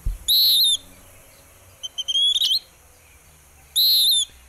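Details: Migratory Western Wood-Pewee (Contopus sordidulus), a bird of Laguna de Sonso near Buga, Colombia, gives its dawn song: high, burry whistled notes that slur downward, with quick stuttering runs of short notes between them, about every two seconds.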